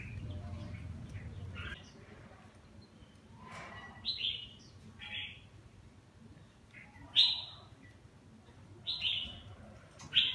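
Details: Kept red-whiskered bulbul with partial cheek patches and a lion-style crest singing during a bath: crisp whistled downslurred notes, often paired, recurring every few seconds against faint background hum.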